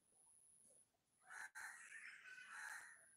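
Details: Fallen bulbul chick, calling in a burst of harsh, squawky notes after a second of near quiet; a steady high-pitched electronic whine runs through the background.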